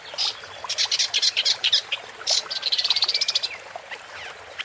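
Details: ['Woodchat shrike with a chattering song: rapid series of harsh, rattling notes, a long fast trill, then a thin rising whistle.']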